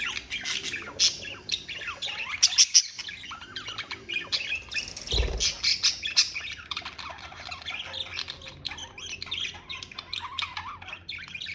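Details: Chattering flock of pet budgies: continuous buzzy warbles, clicks and squeaky whistles overlapping throughout, with a short low thud partway through.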